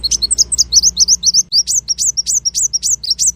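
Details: Continuous small bird song, masteran with tembakan variation. Fast, very high, squeaky twisting notes follow one another without pause, about six per second, over a soft low background hum.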